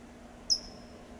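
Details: California towhee in Del Monte Forest, California, giving a single sharp, high, thin "tsip" note that drops quickly, over quiet background hiss.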